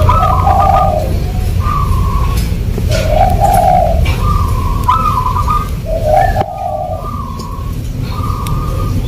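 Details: Local zebra dove singing in the rhythmic irama style: soft, rounded cooing phrases that alternate between a higher and a lower note, repeated steadily in a regular pattern, over a strong low rumbling background.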